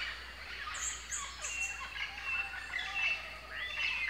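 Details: Common green magpie (Cissa chinensis) in its natural habitat: thin whistled notes and short sharp chirps, with a few bright high notes near the start and scattered calls over quiet background hiss.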